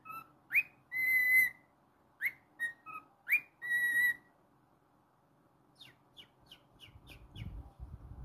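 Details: Whistled song of a pet cockatiel: short rising notes and longer steady whistles in a quick phrase, followed by fainter rapid chirps and low rustling at the end.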